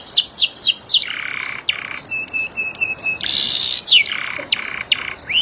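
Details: Singing canary with quick falling whistled notes, a steady flat tone held for over a second, a burst of harsh buzz, then more slurred downward whistles.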